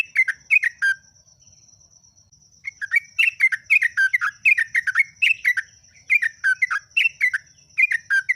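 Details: Bubbly chattering phrases from a yellow-vented bulbul (trucuk/jogjog) in continuous ngeropel song, a short burst, a pause of about a second and a half, then a long lively stream of slurred warbled notes over a constant high whine.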